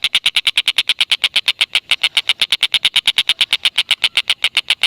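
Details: Stork-billed kingfisher (tengkek buto), a native Indonesian bird, calling in a long unbroken cackle used as a training tape for lovebirds: harsh, sharp ke-ke-ke notes repeated about seven times a second, steady and loud.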